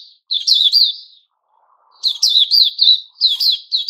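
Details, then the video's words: Captive white-crowned shama growing new feathers, dated 06-09-2021, gives a short warbled whistle phrase, falls silent for a second, then launches into quick tumbling chirps and slurred whistles. "Puteh Raja season new feathers"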